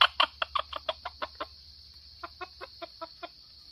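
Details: Red junglefowl from Sumatra, used as a lure, gives a run of short clucking notes about twice a second, fading after a pause into a softer second series, over a steady high insect hum.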